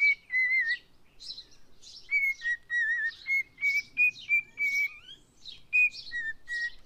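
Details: A cockatiel, a male whose owners want to find him a female, whistles the learned tune "If You're Happy and You Know It" in clear, wavering, mid-high notes, a phrase roughly every half second, with scratchy chirps between.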